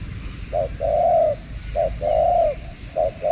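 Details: Spotted dove (terkukur) lured with a call behind house plants: two-part phrases, a short low coo followed by a longer steady coo, repeated about every 1.2 seconds, with light background hiss.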